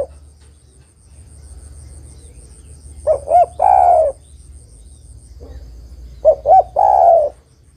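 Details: Spotted dove, a female calling the male, repeating a phrase twice roughly three seconds apart: two short hooting notes leading into a drawn-out, downward-sliding purr. Steady low rumble and faint high tone underneath.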